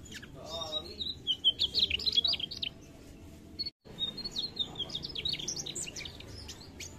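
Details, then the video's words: Lively mugimaki flycatcher song in full voice. Dense runs of sharp, high chirps and short trills come in rapid clusters, stop for a short silent gap, then resume as looser bright twittering above a faint low rumble. "Suara Sikatan Mugimaki gacor"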